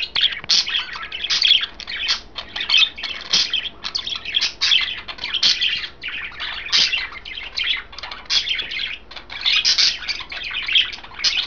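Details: Three caged budgies eating kale produce a long run of lively, high-pitched chattering chirps, dense and unbroken, rising and falling in loudness throughout.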